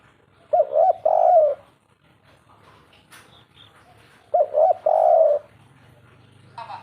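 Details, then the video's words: Spotted dove singing in the "kuk 3" style, two matching phrases of quick double coos followed by a longer drawn note, about four seconds apart, with faint clicks and low hum between. "suara burung derkuku kuk 3 pembawa hoki nyata"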